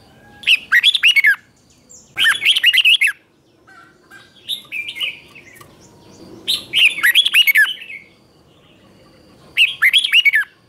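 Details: Morning training song of a red-whiskered bulbul, Vietnamese 'ché' style, 2024: lively chirping warbled phrases in bursts about every two seconds, some phrases longer and rolling, with softer notes between them and faint background rustle.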